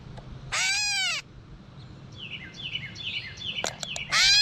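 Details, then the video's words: In a backyard while feeding, a gray catbird utters a drawn-out nasal mew, then a second one begins at the end, with soft descending chirps and a few sharp clicks from other birds between them. "Catbird Call | Gray Catbird Call"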